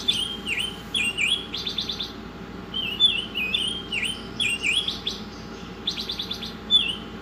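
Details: Oriental magpie-robin in full song for a masteran recording: looping whistled slurs alternating with rapid stuttering rasps about every two seconds, over a faint steady hum.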